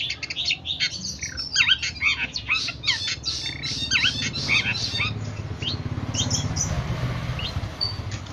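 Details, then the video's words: Long-tailed shrike in a training recording meant to make birds sing keenly: a busy run of sharp chirps, slurred notes and quick twitters, dense at the start and thinning later, over a low steady hum. "MASTERAN CENDET GACOR MANTAP"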